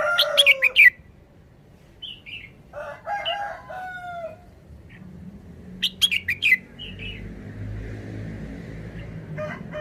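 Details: Thai cage-bird red-whiskered bulbul repeating a short, simple wild-style song: rapid clusters of sharp whistled notes, scattered soft chirps and a harsh crowing call, over a low rumbling background.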